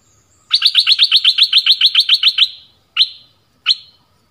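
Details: Orange-headed thrush sound used to lure wild birds and teach young birds: a fast, even series of about fifteen bright, clipped notes, then two single notes after short pauses.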